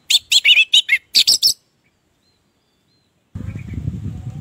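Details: Orange-headed thrush in ngeplong song, played as a lure for silent thrushes: about ten quick, bright chirping whistles in a burst, then a pause, then a stretch of low rumbling background noise.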